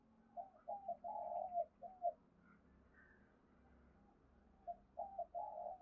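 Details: Distant spotted dove cooing as a lure for wild doves: a series of soft hollow coo notes, a pause, then more coos, over a steady low hum.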